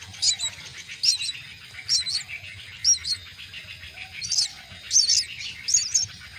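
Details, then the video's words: Myna chicks fed at their nest utter repeated sharp, high chirping bursts roughly once a second over a steady hiss of background noise. "Feed the myna chicks at nest"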